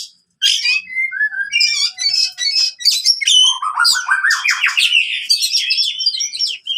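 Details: Oriental magpie-robin fighting song for birds that stopped singing: whistled and trilled phrases, then a rising series of rapid notes building into dense chattering.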